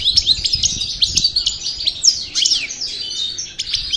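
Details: Goldfinch, subspecies parva, from El Bordj, out of moult and rehearsing: nonstop tinkling chatter of fast chirps, short trills and downward-sweeping whistles, all high and sparkling, with light low clatter beneath.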